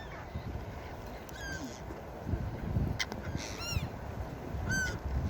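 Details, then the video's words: Gulls at the beach: a few short, sharp, downslurred cries scattered through the clip over steady low surf and wind rumble. "4k Seagull Beach Sound Effect| Seagull sounds for Sleeping and Deep relaxation| Seagulls Sounds"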